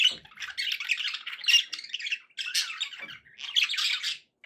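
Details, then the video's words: Pet budgerigars giving happy calls: dense, scratchy chattering warbles in rapid bursts, broken by short pauses, sounding indoors in a small room. "happy budgie sounds"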